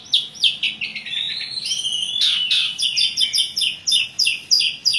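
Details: Asian pied starling singing a rich, chatty song: a run of quick descending notes, a long whistled phrase, then steady repeated chirps about three per second, all high and bright.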